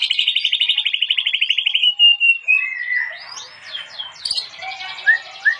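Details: White-rumped shama song from a compilation for training other shamas, opening with a fast pulsed trill of about two seconds that slides downward, followed by slurred whistles and scratchy notes.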